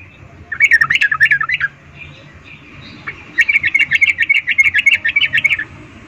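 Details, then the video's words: Female sooty-headed bulbul's 'ngecuplik' breeding call to males: a run of about ten rapid chips, a pause, then a longer steady series of around eighteen quick, evenly paced chips. "Trucuk BETINA memanggil Jantan Suara Birahi Ngecuplik"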